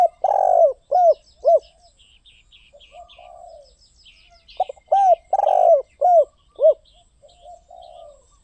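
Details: Cooing of a spotted dove. A long, rich coo is followed by two shorter hoots, and after a pause the phrase repeats. Light chirping from other birds can be heard between phrases.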